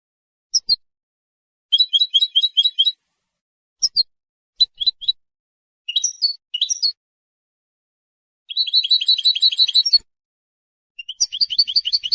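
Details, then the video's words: A European goldfinch sings to defend its territory and attract females, giving scattered short twitters and sharp chirps broken by silences, then a longer, dense jingling trill near the end. No other sounds. "How to develop a distinctive vocal personality for your goldfinch"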